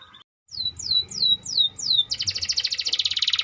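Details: Canary of the AF type singing vigorously: five loud whistled notes sweeping downward, then a fast, buzzy rattling trill of rapidly repeated high notes.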